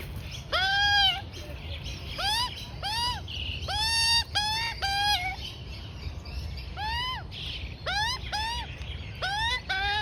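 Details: Juvenile female Australian magpie about 4-5 months old begging while fed rolled oats and wombaroo by her mother: repeated harsh, rising-falling harmonic squawks in bursts of two to four, with short gaps between bursts, over quiet outdoor background.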